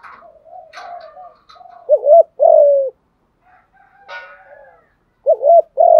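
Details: Cooing spotted dove used to stimulate newly caught doves: soft wavering murmurs lead into a doubled coo and a long falling coo, then after a pause a faint chirp and the phrase starting again.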